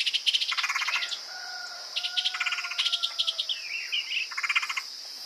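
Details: Woodpecker sounds played as a lure: almost continuous rapid rattling chatter in bursts, mixed with long level whistled tones and twisting squeaky notes, backed by a constant high insect drone.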